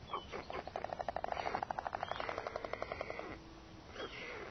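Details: White stork mother arriving with food, recorded 07-05, clattering her bill: a fast, steady train of dry wooden knocks lasting about three seconds, flanked by short wheezy, hissing calls.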